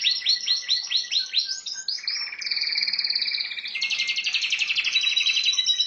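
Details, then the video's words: Canary song at home: a rhythmic series of repeated swooping notes, then a buzzy rolling trill and a bright rattling trill, sung continuously and loudly. "Mon canari chant"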